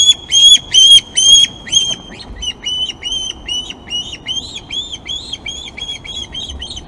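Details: Nest-camera recording from the Glaslyn osprey nest on 26 August at feeding time. Four loud, strident whistled notes are followed by a long, quicker series of thinner, evenly spaced piping calls that gradually fade in strength.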